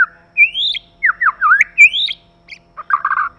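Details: White-rumped shama, male and female: long rising slurred whistles and twisting falling notes, closed by a short burst of rapid chattering notes.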